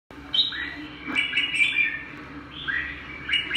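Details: Bird singing in short bright whistled phrases with quick rising and falling sweeps, several bursts spread across the few seconds, over a faint steady low hum.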